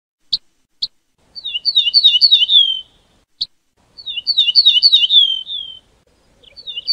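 An ortolan bunting gives a few sharp single call notes, then two ringing phrases of quick, repeated high notes that slide slightly lower. The background is otherwise quiet.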